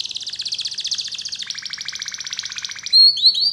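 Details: Atlantic canary song used as a tutor recording to prompt young canaries to start singing: fast buzzy trills of rapidly repeated notes, dropping to a lower trill midway, then sharp whistled upslurs at the end.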